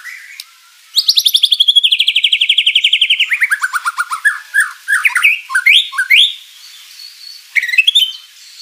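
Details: White-rumped shama (murai batu) in full, vigorous song with rich fill-in material, used as a lure to make rival birds answer: a long rapid series of ringing notes sliding downward, then varied whistled phrases and sharp chips.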